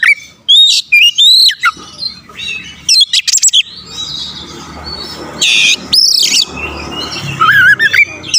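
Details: Kacer, the Oriental magpie-robin, in energetic song meant to provoke rival birds. Loud upslurred and looping whistles come in short clusters between quieter gaps, mixed with harsh buzzy notes, over a faint background murmur.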